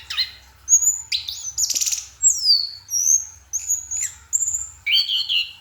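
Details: Night singing from an orange-headed thrush: bright high whistles, some rising and some sliding downward, mixed with a short rasping trill, delivered as separate phrases with small gaps.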